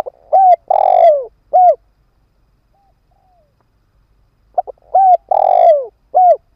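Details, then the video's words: Spotted dove used as a ground decoy to attract wild birds. Two rhythmic cooing phrases about four and a half seconds apart, each ending with a long purring roll and a single curved final coo. "Tiếng chim cu mồi đất kích bổi hiệu quả"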